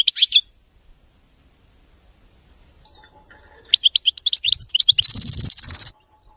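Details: Clean, error-free song of a European goldfinch, locally maqnin: a brief twitter, a long pause, then a quick run of liquid rising notes ending in a dry, buzzy trill.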